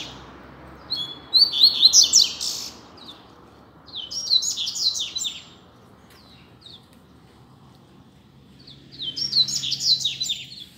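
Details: Free double-collared seedeater on a street, singing as a tutor bird: three phrases of rapid, high, downslurred chirps, each lasting about a second or two, with quiet background noise between them.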